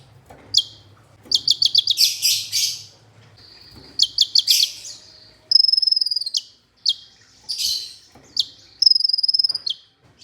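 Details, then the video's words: Olive-backed sunbird song meant as training audio to get sunbirds singing: rapid stuttering series of sharp high chips, buzzy bursts and several fast high trills, with faint low hum early on. "MASTERAN merangsang KOLIBRI NINJA UNTUK PANCINGAN KONIN"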